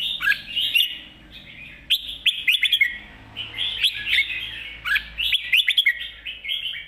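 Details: Spirited mae bot sap krajai master song from a red-whiskered bulbul: bright whistled phrases with quick slurred flourishes, grouped in bursts every second or so, over a soft background hum.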